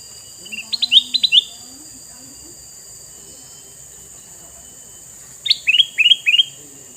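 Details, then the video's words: Red-eyed male sooty-headed bulbul, kept to lure wild birds, delivering two bubbly phrases of four or five rapid descending chirps separated by a long pause, with a continuous shrill hum in the background. "Burung kutilang mas jantan mata merah"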